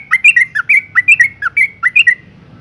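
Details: Female yellow-vented bulbul calling to provoke males into singing: a brisk chatter of about ten short, bubbly notes, alternating higher and lower, delivered in quick pairs against a quiet background.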